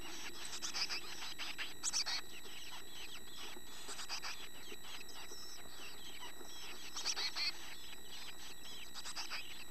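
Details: Growing chickadee young that now resemble adults chirp repeatedly in short, high, clustered notes, with sharper squeaky bursts about every few seconds and a faint continuous hum behind.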